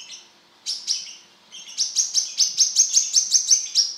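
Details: High, sharp sunbird song from a brown-throated sunbird: two opening notes, a brief pause, then a fast, steady burst of about fourteen shrill notes at roughly four per second.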